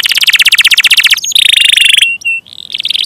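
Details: Gacor canary producing a fast pulsing roll, then a bright sustained buzzy trill, a couple of short level whistles and another quick roll.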